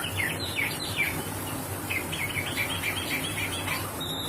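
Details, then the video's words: Oriental magpie-robin singing in a fast rolling style: a quick run of short, sweet whistled notes at a fairly high pitch, repeated in rapid succession over a steady background hiss. "Kacer roll speed"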